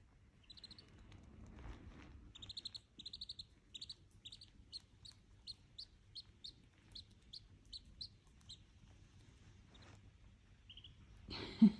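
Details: Duckling with dachshunds, sending out bright high peeps, first in quick little clusters and then singly at an even pace, ending with a sudden loud rustle and bump.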